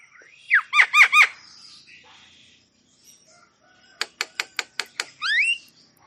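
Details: Javan myna song meant to stimulate stressed or quiet mynas: a burst of loud descending whistled notes with harmonics, a pause, then a rapid series of sharp clicking notes and a final rising slurred whistle.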